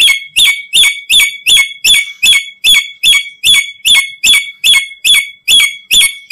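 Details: Black-capped lory calls used as a lure for trapping other lories: loud, harsh, shrill notes repeated steadily about two and a half times a second, each a sharp squeal with a falling tail, the whole clip filled with the same note.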